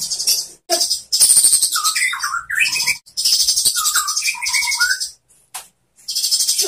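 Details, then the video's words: White-rumped shama song used to train other shamas, mixing dense high buzzy chatter with lower fluting whistled phrases, broken by short pauses. "SUARA MURAI BATU bikin GACOR BONGKAR ISIAN ¦ MASTERAN MURAI ¦ SHAMA BIRD"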